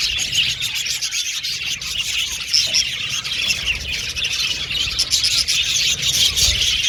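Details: Aviary colony of budgerigars giving a continuous, overlapping chatter of thin chirps and scratchy twitters, with a few clear whistled notes standing out.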